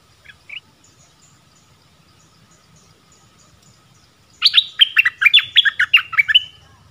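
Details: Streaked-eared bulbul singing: a brief soft chirp early, then after a quiet gap a loud two-second burst of quick bubbly, warbled notes dropping and rising in rapid succession.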